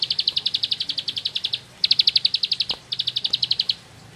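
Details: Bar-winged prinia of rice fields delivering ngebren song: three rapid runs of piercing high chirps, roughly four notes per second, separated by brief gaps.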